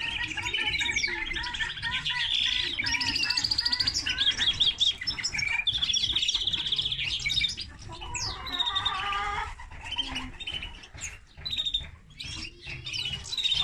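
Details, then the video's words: Long, energetic song from a linnet and canary cross: rolling trills, drawn-out buzzy notes and sharp chips in shifting sequence, with a short quieter gap before lively twitters resume. "Mixto de pardillo y canaria - هجين طائر التفاحي مع الكنار"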